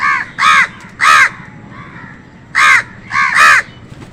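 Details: Crows cawing while fighting with wild birds over food: harsh, nasal caws in two bursts, a pair then a close pair after a pause, each caw about a quarter second long.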